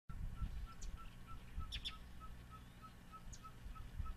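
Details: Ferruginous Pygmy-Owl (Glaucidium brasilianum ridgwayi), Xcalak, Mexico, 8 Oct 2011, gives a steady run of short mid-pitched toots, about three per second, while mobbing passerines, including American Yellow, Yellow-throated and Magnolia Warblers, chip sharply over low rumbling wind.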